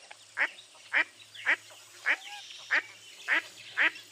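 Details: Mottled duck calling: a series of seven loud, harsh quacks, each short and nasal, coming roughly every half second in a quiet setting with little background noise.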